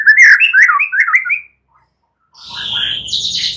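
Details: Shama night song used as a singing trigger: a burst of fast warbled chirps, a pause, then a high buzzy rattling phrase.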